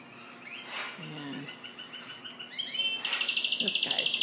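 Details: Spanish Timbrado canary, bred only for song, singing loudly in a bird shop on January 4th: high, bright notes breaking into a fast, even, metallic trill of about three notes a second. A man speaks briefly over the start.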